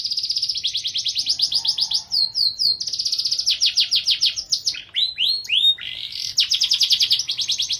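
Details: Continuous canary song in the lavish 'cengkok mewah' gacor style, built from long rapid rolling trills repeated in bursts, broken mid-way by quick looping whistled notes, then another fast roll; bright, high-pitched, with almost no background noise.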